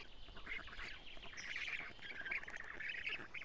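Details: Young black storks at their Estonian nest, early morning of 14 June 2017, while the female delivers many lampreys; continuous squeaky, rasping chatter rises and falls without pause.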